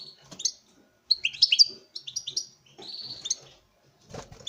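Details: Male European goldfinch in a breeding setup, singing before a female; short twittering and buzzy phrases between 2 and 8k, in bursts with a gap, a soft rustle near the end.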